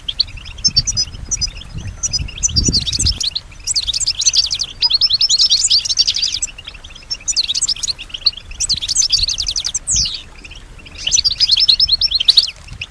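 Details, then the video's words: European goldfinch kept indoors, said to mimic other birds and human sounds, sings in repeated bursts of dense, buzzy twittering, each about a second long, separated by brief gaps, with low knocking sounds early on. "keep your goldfinch healthy and singing"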